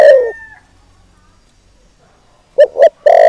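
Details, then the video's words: Spotted dove lure call to provoke males: the loud tail of a falling croon, a long quiet gap, then two sharp short coos and the start of another long croon. "Cu Gáy Mồi Thúc || Gáy Gọi Kích Bổi Mới Nhất"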